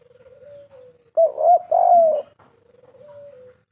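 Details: Spotted dove 'kuk 3' lure call: two short hoots and a long hollow coo sounding over a faint, steady low whistling tone that runs before and after the phrase.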